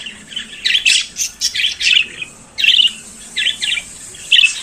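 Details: Budgerigar singing in the morning, a chattering series of high, buzzy, scratchy chirps delivered in bursts with short gaps, some notes rising and falling quickly, background otherwise quiet.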